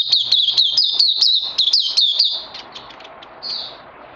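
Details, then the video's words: Oriental white-eye on 31 May 2020 delivering rapid high chirps about four per second for two and a half seconds, then falling silent apart from a last short whistle over faint background hiss. "Puteh Crazy LG"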